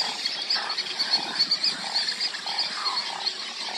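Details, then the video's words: Juvenile Roseate Spoonbills that have left their nests beg to be fed by their parents at a Texas nesting site in late June, one morning. Short hoarse notes repeat rapidly over a dense, continuous high squealing colony chorus. "Juvenile Roseate Spoonbills beg to be fed"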